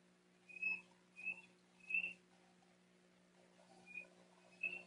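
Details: Bald Eagle fledgling, a male 88 days old, sits in a distant South Florida tree in June calling for his brother; thin, clear whistled piping notes come singly, spaced about half a second to a second apart.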